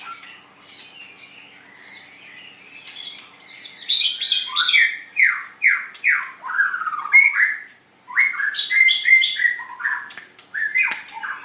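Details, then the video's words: White-rumped shama in full contest singing: a long, varied torrent of loud whistled and chattering phrases. Many notes sweep down sharply in quick repeated series, pausing briefly near eight seconds before a fresh burst. A faint steady hum sits underneath. "Cara Mengadu kekuatan Ocehan Burung Murai batu white rumped shama"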